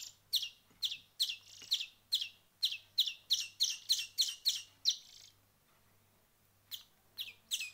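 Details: Hand-reared small bird chicks a week into hand-feeding, calling for food: sharp high chirps in a quick series of about three per second, then a brief silence before a few more chirps resume, over a faint low hum.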